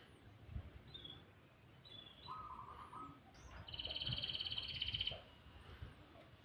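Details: Canary singing in the morning: a few short high notes, then a loud, even, high buzzing trill held for about a second and a half, with faint background noise.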